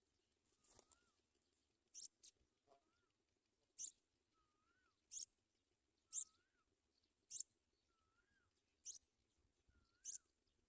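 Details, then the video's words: Sprague's pipit feeding its young at the nest. A steady run of short, very high, sharp notes about once a second, each paired with a soft, lower, rising-and-falling whistle; a brief rustle near the start. "Sprague's pipit Bird brings baby food"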